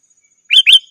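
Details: Sooty-headed bulbul calling a rival, used to lure wild birds in the forest and as a tutor for kept bulbuls: two quick, loud, bubbly notes in close succession, against a faint steady high tone.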